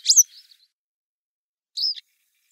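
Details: Grey wagtail on the river Lieser in 2017, a sharp high call followed by a soft trailing note, then a second shorter, thinner call after about a second and a half.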